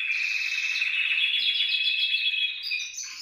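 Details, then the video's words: A canary sings to prompt other canaries: a rapid pulsed trill held for over two seconds, then a pause and a rising whistled ending. "CANTO CANARIOS"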